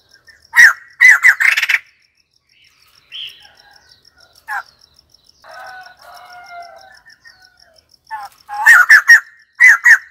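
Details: White-crested laughingthrush with loud, raucous laughing bursts at the start and end. Quieter scattered notes and soft warbled phrases fill the middle over a regular faint high ticking.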